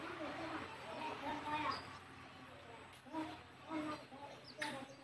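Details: A mother hen takes her chicks back to the nest to roost. She gives a few separate low, harmonic clucks about a second or more apart, with faint high peeps from the chicks and a low hum beneath.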